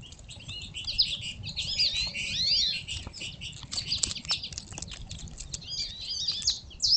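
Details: Several small songbirds chatter and sing together in a high, busy tangle of twittering notes and quick whistles, with soft rustling beneath, while squirrels eat fallen seeds at a feeding spot.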